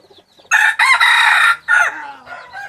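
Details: Red junglefowl hybrid rooster crowing loudly and close: a harsh, ringing call in three bursts, a short first note, a long sustained middle section and a clipped falling end, then near quiet.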